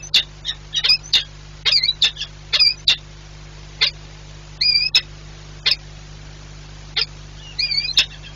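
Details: Peregrine falcon pair at a nest at Orlen Płock, Poland, 4 April 2022, on a day of many nest changeovers: harsh, clipped notes in irregular bursts plus a few drawn-out, bending wails over a low electrical hum.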